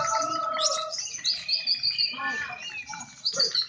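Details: Contest lovebirds vying for the winner's flag through lively calling; mixed high whistles, repeated sharp squeaks and chattering notes, with a steady tone held through the middle.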